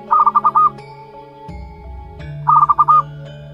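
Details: Young local wild-type zebra dove, aged one month, utters two brief runs of five fast pulsed notes roughly two and a half seconds apart; steady low hum and a soft thump between them.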